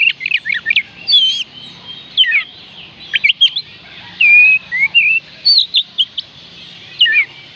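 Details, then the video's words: Oriental magpie-robin in continuous song, used to urge lazy birds to sing: dense, varied whistled phrases, rapid chirps and rising-falling slurs, with longer sweet whistles midway. "oriental magpie robin kicauan Kacer panggilan Kacer malas bunyi"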